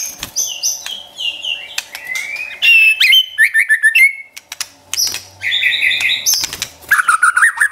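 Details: Pet white-rumped shama training song, played to excite a caged bird: a rich mix of high trills, buzzy bursts and clear whistled slurs, with a brief low hum and clicks in between.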